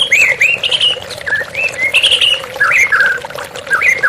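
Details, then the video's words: White-rumped shama singing steadily while water runs beneath: bright, loud whistled phrases with rolling slurs and quick note changes, joined almost continuously by short gaps. "TERAPI MURAI BATU Stres Macet Langsung pulih _ Terapi Murai Dengan Suara Air Mengalir"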